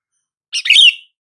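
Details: Calling sound of a sooty-headed bulbul, meant to prompt silent bulbuls into answering: a single brisk phrase of a sharp note running into a bubbly, downward-slurred whistle, clean and close.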